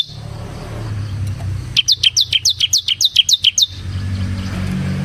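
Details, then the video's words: Bar-winged prinia, ciblek semi gacor, singing as a lure for ciblek kristal: a two-second burst of about a dozen quick, sharp downslurred chirps over a steady low traffic-like rumble. "suara burung CIBLEK SEMI GACOR Ngebren Ampuh untuk Pancingan Ciblek Kristal dan Masteran Ciblek"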